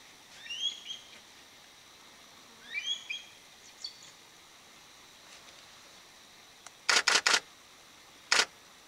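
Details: Mountain hawk-eagle (Nisaetus nipalensis) in Taitung, Taiwan, 2007, during a breeding and foraging survey, gives two shrill, whistled, up-slurred call phrases about two seconds apart, followed by several sharp camera-shutter clicks.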